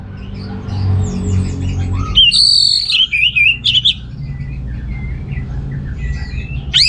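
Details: Orange-headed thrush song meant to provoke males with weak breeding drive: an upslurred note leads into a long clear whistle and a fast warbled trill, followed by quieter scattered chirps and low background noise.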